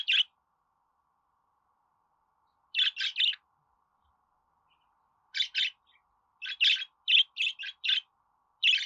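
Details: Pet budgerigar sounds for encouraging budgies to sing and talk: a lone chirp, a long pause, then quick groups of two to four scratchy, high chirps, growing busier toward the end.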